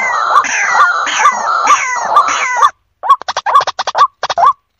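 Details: White-breasted waterhen lure call meant to pull in faraway birds: a dense overlapping chorus of harsh, rising croaks for the first half, then separate clipped notes repeated rapidly in quick bursts.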